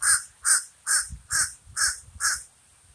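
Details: Six loud, hoarse caws from a common raven, delivered steadily about every 0.4 seconds.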